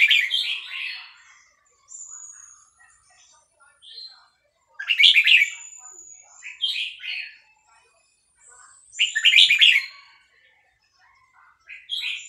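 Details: Excited by a recording of hatchling calls, a caged Vietnamese red-whiskered bulbul sings fast-linked phrases. Loud rich warbled bursts come about every two seconds, interleaved with thin high whistles and faint chatter.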